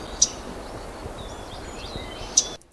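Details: Black-throated Gray Warbler, a West Coast warbler of mixed maple and Douglas-fir forests, giving its high chit call: two sharp, very high chit notes about two seconds apart over a soft, steady outdoor hiss.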